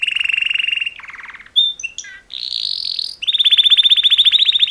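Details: Two male canaries giving mating call songs: a fast rolling trill of evenly repeated notes, a lower buzzy trill, a few sharp whistled chirps and slurs, then a rising warble and a long rapid pulsing trill to the end.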